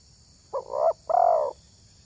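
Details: A single spotted dove coo, from a bird valued for its fine voice when luring wild doves. A short soft lead-in note runs into a drawn-out, slightly falling hollow note, with a quiet high hum in the background.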